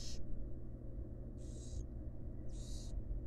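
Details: Wild barn owl at a monitored nest box, a female feeding her fledglings: three harsh, breathy hisses, each about half a second, spaced roughly a second apart, over a steady low hum.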